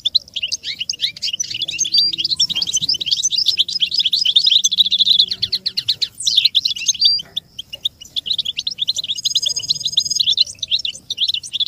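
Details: American goldfinch song for teaching chicks: a long, nearly continuous stream of rapid twittering and buzzy chatter, broken by falling slurs and a sustained metallic trill toward the end.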